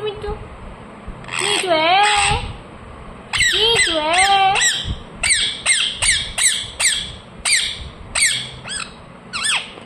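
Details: Ring-necked parakeet kept as a pet, loud bursts of rasping, undulating squawks followed by a fast series of short, sharp chirping calls, with a low rumble of room noise behind.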